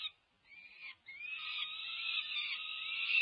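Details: Peregrine falcon nestlings past five weeks of age begging at a Berkeley nest during feeding, May 2023, nest camera; a brief scratchy cry, a short gap, then a rising rasp leveling into a sustained harsh scream.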